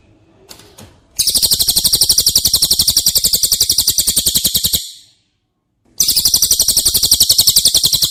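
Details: Cililin song used as training material for caged White-rumped shamas: a rapid, high, buzzy trill of evenly spaced notes lasting about four seconds, a brief silence, then the same trill starting again.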